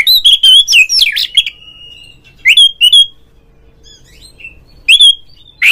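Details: Oriental magpie-robin giving a 'ngeplong' style calling song, played to prompt other magpie-robins to sing: loud clear whistled notes, some rising and slurred, in short bursts separated by pauses, ending in a sharp upslurred note.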